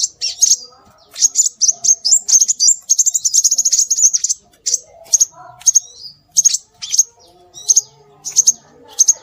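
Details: Lure recording of scarlet minivet: rapid, high-pitched twittering runs of chirps in the first half, thinning into separate sharp whistled notes spaced about half a second apart.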